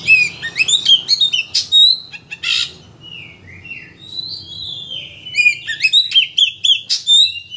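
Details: Oriental magpie-robin lure song for provoking a bird to unload its full repertoire: clear, loud phrases of sharp chirps, rapid trills and long sliding whistles, with quiet pauses between bursts.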